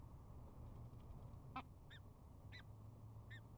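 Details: Peregrine falcon pair at a nest webcam in spring, bowing in courtship at the start of the season: four short, sharp harmonic chups spaced about half a second apart, over a steady low rumble of wind or hum.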